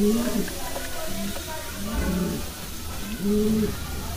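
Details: Kalsara pigeon cooing indoors: three low, arched coos spaced about a second or more apart, with background murmur and faint music.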